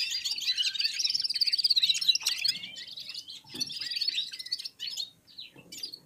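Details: Red-fronted serins singing in unison and warming up: a rapid, rattling high twitter with pulsed trills, then fading into separate thin chirps and a final rising whistle.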